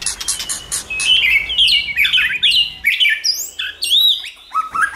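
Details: Multi-voiced White-rumped shama song played to train a shama: rapid chatter giving way to bright rising and falling whistled phrases, some very high, with a low murmur at first.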